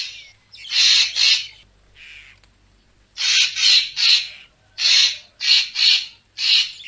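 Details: Racket-tailed treepie sound used as a photography lure: a harsh double burst and a softer rasp, then a rapid run of about seven scratchy, grating calls in close pairs.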